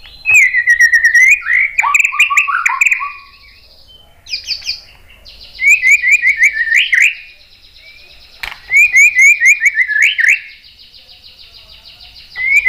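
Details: Lure song of a white-rumped shama, meant to prompt other birds to reply: short bursts of quick repeated chirps and slurred notes in separate phrases with quiet gaps between them.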